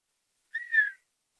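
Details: Male Redhead duck swimming on water beside a female, giving a quiet whistling display and mating call to attract her: one short nasal whistle that climbs slightly then slides down, about half a second long, in silence.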